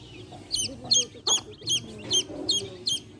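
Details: Shrill, descending chirps of baby chicks come in a fairly even series, around three each second, over a faint bed of quiet hen clucking.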